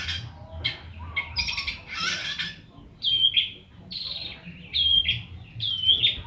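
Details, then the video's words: Young long-tailed shrike learning the ngeplong singing style, giving short harsh bursts and then a series of brief, strained whistled notes at irregular spacing, with some faint voices at the start. "Cendet Gacor ,Baru Belajar Ngeplong"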